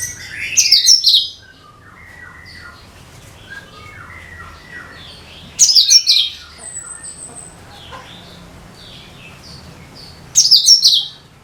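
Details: Cucak kinoi (bulbul) song played to lure all kinds of birds: loud bursts of sharp, high chattering notes about every five seconds, with softer twittering phrases between them.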